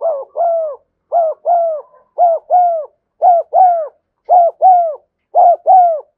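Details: Spotted dove cooing steadily and without break in the afternoon: six paired phrases, each a short coo then a longer downward-sliding one, repeated regularly about once a second in a quiet setting.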